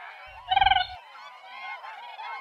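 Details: Siberian crane calling with a single loud, rolling, trumpet-like note lasting about half a second. Afterwards a steady background of overlapping softer calls from other birds continues.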